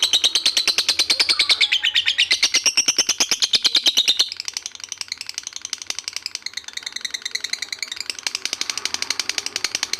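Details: Collared kingfisher, known locally as lobet, giving its long ngekek call: a fast, unbroken series of sharp, high kek notes, louder for four seconds and then softer, with slightly wavering pitch throughout.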